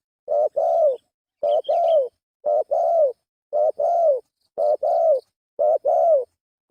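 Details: Steady run of spotted dove coos used as a lure: six regular doublets, each a brief note then a fuller descending coo, roughly one per second, with a faint high chirp early on.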